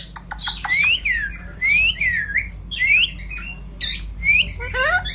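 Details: Indian ringneck parrot talking, a series of loud rising whistled squawks sweeping upward, interspersed with short harsh clicks and chatter, in a quiet indoor setting.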